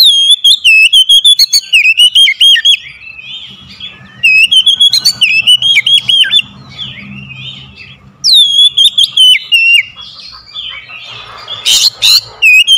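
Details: Oriental magpie-robin used as a lure bird for a lazy singer, repeating loud rolling whistles and slurred notes in three bursts of about two seconds, with faint chirps and a low hum between them.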